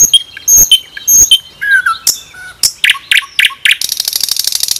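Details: Nightingale song: sharp high whistles and short chirps in quick varied groups, then a few loud harsh notes, ending in a fast buzzy trill of rapidly repeated clicks.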